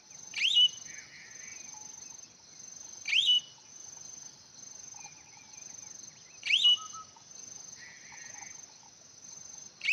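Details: Hwamei song: loud upswept whistled notes repeated roughly every three seconds, with softer short warbles between them and a steady high hum behind.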